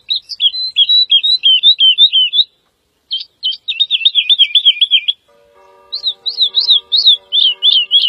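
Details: Woodlark (Lullula arborea) song: several phrases of repeated melodious notes, first zigzagging, then rapid looping rolls, then loud downslurred whistles over faint sustained low background tones.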